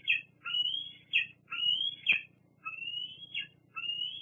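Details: Bald eagles at a nest at Fraser Point on 8 August 2022, one squeeing at another as they shift positions; high, thin whistled squeals, rising then leveling, about six phrases, some ending in a sharp sudden peak, over a low steady hum.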